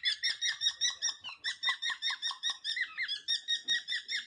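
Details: Pet cockatiels kept indoors as a household flock of several males and a female, during their lively 'march'. Rapid, evenly paced run of short, bright, downward-slurred chirps, about two or three per second, with a brief gap past the third second.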